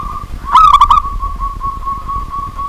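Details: Local zebra dove calling energetically at night: one loud stuttering cooing burst followed by a long, steady, fading coo, with a faint earlier coo and a low rumble underneath.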